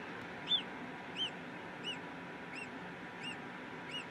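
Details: Peregrine falcon recorded in Brussels, Belgium, 8 April 2016; a series of six arched, ringing notes roughly every 0.7 seconds, the first loudest, fading slightly, over low background hum.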